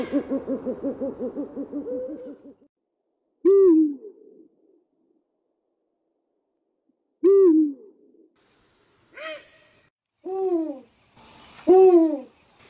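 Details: Eurasian eagle-owl (Bubo bubo), song.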